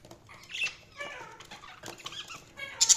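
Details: Budgerigar chatter: squeaky, twisting chirps and short warbled notes, ending in a sharp high burst of twitters.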